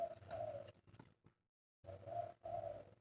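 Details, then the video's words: Soft, hollow coos from a kept spotted dove, one drawn-out note, then a pause and two more coos in quick succession, with steady background hiss. "TEKUKUR/DERKUKU KUK 3"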